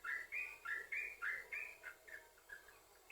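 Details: Short burst of yellow-vented bulbul song meant to lure other bulbuls to sing: clear, whistled chirps at a quick steady pace, loud at first and then fading to softer notes.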